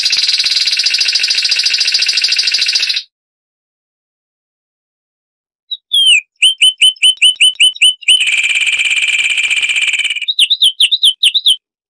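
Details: Song of the Zapata wren, a Cuban bird: a long steady trill, several seconds of silence, then a run of quick rising notes, a rattling trill and more rapid notes.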